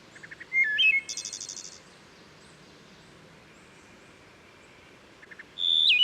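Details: Near Havre de Grace, Maryland, a Wood Thrush sings by Herring Run stream: brief soft notes, a clear fluty phrase, a high buzzy trill, a pause, then another song begins, reverberating off the steep wooded valley.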